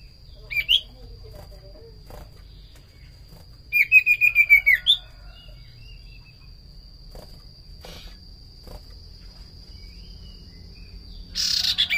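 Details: Common iora song for luring, mostly quiet. One early note is followed by a tight series of seven repeated whistled notes midway. A brief rasp comes near the end, with a steady high hum throughout.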